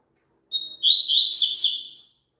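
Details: Single double-collared seedeater phrase for a caged bird to sing along to: a thin steady whistle followed by about a second of rapid, buzzy, jumbled high notes that fade at the end.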